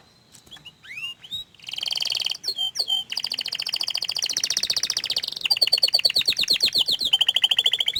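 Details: Canary, shy to show its face, gives a lively song opening with soft looping whistles, then long fast buzzing trills that change pace and pitch, ending in a rattling series.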